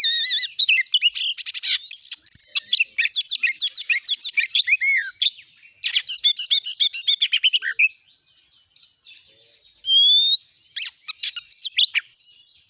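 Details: Oriental magpie-robin singing, used to coax a kept bird into song: dense runs of rattling, scratchy notes and bright whistled arcs, then a quieter pause before sharp rising whistles resume.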